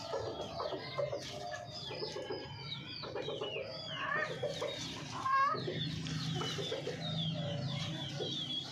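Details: Hens clucking in short low pulsed bursts amid a constant chatter of many small birds giving high, falling chirps, with a steady low hum underneath.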